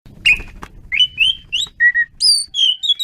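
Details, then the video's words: Asian pied starling singing energetically, a string of clear whistled notes sliding upward, some steady and some rising, with a few higher squeaky elements near the end; faint low rumble underneath. "jalak suren menggila"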